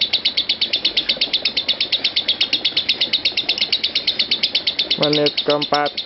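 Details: Lovebird ngekek trill continuing nonstop in a five-minute-plus run; rapid high pulses throughout, with a man's voice briefly speaking near the end.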